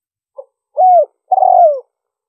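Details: Lure recording of a spotted dove for attracting wild doves: one soft brief note, a level coo dropping at the tail, then a longer grainy coo falling in pitch. No other sounds.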